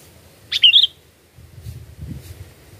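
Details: Sooty-headed bulbul phrase for luring birds: a short burst of fluty, bubbling notes, followed by low rumbling noise.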